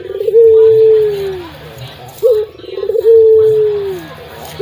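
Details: Loud, thick-voiced local puter dove cooing: a brief quavering burst followed by a sustained, slowly sinking low note, twice in succession with a short trilled opening between.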